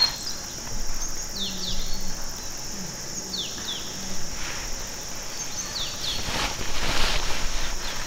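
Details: Red crossbill at Bidoup, Vietnam, giving short, sharp downslurred kip notes in loose pairs every couple of seconds, over a steady high insect drone and a brief gust of rustling.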